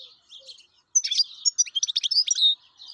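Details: Wild European goldfinch in full song: soft twitters, then a fast, dense run of bright, liquid chirps and trills lasting over a second and a half.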